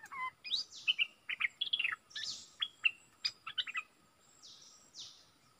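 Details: Decoy Bulbul singing, recorded 22 August 2021: loud, rapid, clipped whistles and warbled notes in a lively burst, then softer, higher, buzzy swishes near the end.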